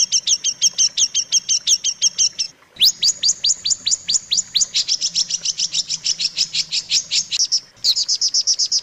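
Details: Long-tailed shrike song for teaching young or caged shrikes: a series of high notes, then clear downward-swept whistles that speed up into a dense trill.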